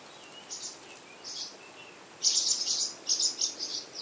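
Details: Purple martin nestlings, eleven days old, at Spring Branch, Texas, in June 2010, with a camera held close to the nest: high, hissy chirps in short clusters, quiet at first, then a louder burst of rapid overlapping calls.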